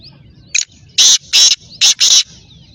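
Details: Black francolin calling: a short, sharp introductory note followed by four loud, harsh, grating bursts in quick succession, forming one rasping phrase over a quiet background.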